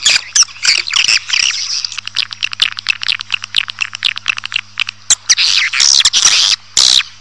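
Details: Swiftlet calling used to bring a colony into a building: quick series of dry clicks and short high chirps, about two per second, then dense buzzy twitter bursts near the end.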